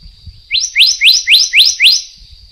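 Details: Taiwan endemic subspecies of black-naped monarch: six sharp, upslurred whistles in a fast, even run lasting about one and a half seconds, with a constant thin high tone in the background.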